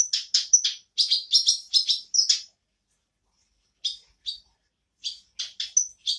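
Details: Black-browed reed warbler singing again: a rapid series of crisp, clicking chatter notes, then a pause of over a second and a few scattered scratchy calls building back toward song.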